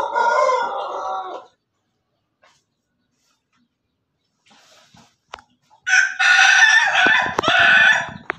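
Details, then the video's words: Pelung chicken, a domestic rooster, recorded 17 May 2024 giving a laughing-style crow: a short harmonic cackle, a long pause, then a loud, rough, broken burst of rapid notes lasting over two seconds. "ayam pelung Bangkok ketawa"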